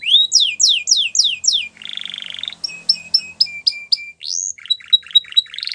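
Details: Canary singing its training song: five sharp downward sweeps, a buzzy rolling trill, spaced chipping notes, a rising whistle, then quick jumbled twittering.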